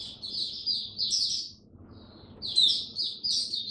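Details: Two brief bursts of high, sweet twittering from a caged oriental white-eye in the 'buka sing raja' style during cold rainy weather, split by a short quiet gap, with a soft low rumble behind.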